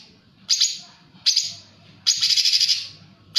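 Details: Straw-headed bulbul giving rough 'tembakan kasar' song: three harsh, buzzy chattering bursts separated by pauses, the last burst longest with rapid pulsed notes, over a faint low background murmur.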